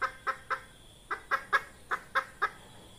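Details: Clucking of a red junglefowl hen, a sound used to lure birds into traps: short, abrupt, nasal notes in quick pairs and triplets, eight clucks in three seconds with brief gaps between groups.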